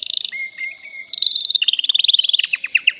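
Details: Caged male canary singing to stimulate a female for mating: brief chirps and a steady whistled note lead into quick sparkling trills that speed up, ending with evenly spaced descending chips.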